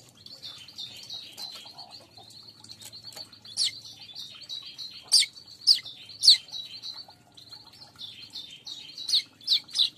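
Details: Weaver sound played to lure weaver birds: a steady high chattering trill broken by sharp, loud chip notes. The chips come irregularly, about once or twice a second, and cluster toward the end.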